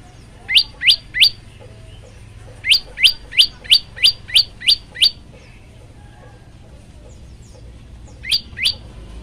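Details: Singing male prinia (prenjak lumut), phone-recorded as a master tutor and lure for young or silent birds; three quick upward-sweeping notes, a pause, then a run of eight, later two more, over faint background hum.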